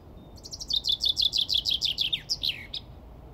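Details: A male common chaffinch sings to attract a female for nesting: one bright, quickening run of high notes tumbling down the scale into a brief end flourish, against a quiet background.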